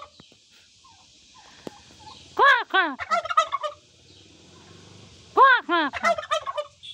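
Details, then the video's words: Turkey hen calling in a Nepal village, two bursts of rich, rolling "kor kor kor" notes about three seconds apart, each a quick run of five or six arched, harmonic syllables over faint background hiss. "Turkey 🦃 Hen Sounding Kor Kor Kor"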